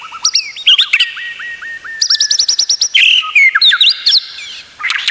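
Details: White-rumped shama singing, a recording used to tutor other shamas: rising whistled slurs repeated in quick series, dense chattering bursts and high metallic notes, loud and varied.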